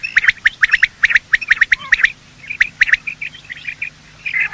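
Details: Morning calls of male and female quail, as used to lure quail for hunting: rapid runs of crisp, high chipping notes in tight groups, fading into softer scattered notes toward the end.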